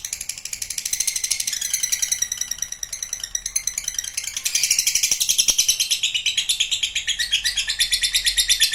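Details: Lovebird trill in the ngekek panjang style: fast high pulsed chatter, quieter in the first half, then louder and denser, with faint clicks and knocks beneath.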